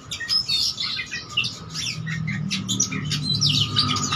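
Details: Oriental magpie-robin singing hard, seeking a rival, song crowded with imitations: scratchy squawks and bright whistles in irregular bursts, over a steady electrical hum and low drone.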